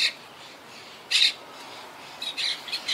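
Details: Wild Quaker parakeets from a yacht club colony that lost about half its members to Hurricane Irma in 2017 and has been regrouping since, living high in trees: harsh, high squawks, one brief call, a louder burst near one second, then a quick cluster.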